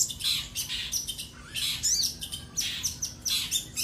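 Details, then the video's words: Common iora (sogon) singing to provoke a rival: alternating harsh high bursts and clear sliding whistles, several phrases in quick succession over a soft steady hum. "sogon gacor minta lawan"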